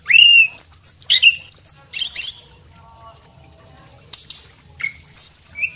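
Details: Male Javan whistling thrush singing vigorously, recorded as training song for cage birds: a loud rising whistle, then sharp high slurred notes and harsh bursts, a quiet gap of over a second, and more strident swooping phrases at the end.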